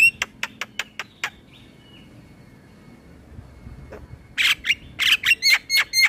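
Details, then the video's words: Male Javan myna in full song, recorded as a tutor for young birds: a row of evenly spaced sharp clicks, a quiet pause, then loud harsh chattering squawks mixed with whistles. "Suara Jalak kebo Jantan Gacor Isian Buat Jalak Kebo Bahan Ikut Bunyi"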